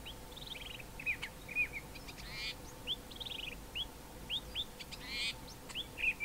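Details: Singing male common fiscal in fynbos at Mountain Drive, Grahamstown, mimicking local birds like wailing cisticola and Cape grassbird; a quick run of rising and falling whistled notes mixed with rattling buzzy phrases, repeated about every half second.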